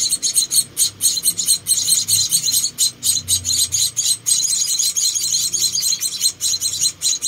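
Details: Four rescued baby Munia birds at feeding time: continuous, rapid, high-pitched chirping, calls overlapping and crowding together with only short gaps.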